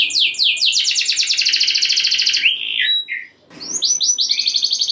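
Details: Canary singing in rolls to stir other canaries into singing; fast, high buzzy trills of repeated notes sliding downward, a brief pause, then another rapid rolling trill.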